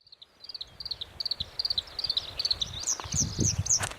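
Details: Black-browed reed warbler singing: rapid repeated chattering notes high in pitch, short stuttered phrases, then a brief buzzy trill near the end, with low rumbling wind or handling noise beneath.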